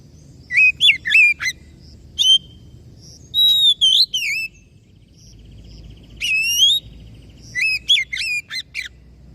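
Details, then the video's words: Oriental magpie-robin song in separated bursts of bright, warbled whistles, each phrase sweeping up and down. Pauses of one to two seconds fall between bursts, over a faint low background hum. "KACER MACET BUNYI & STRES PASTI NYAUT PULIG GACOR LAGI"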